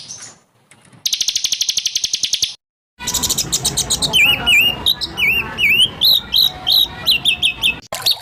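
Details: Songbird-training recording of a White-rumped shama: a fast, buzzy high rattle, a short silence, then loud, clear whistled notes that dip and rise, delivered in quick varied phrases.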